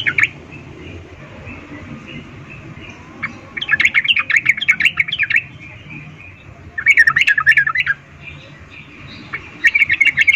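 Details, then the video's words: Female sooty-headed bulbul giving a breeding-condition call to attract a male, in three bursts of fast, bubbling chatter, each one to two seconds long, over a faint steady hum. "Trucuk BETINA memanggil Jantan Suara Birahi Ngecuplik"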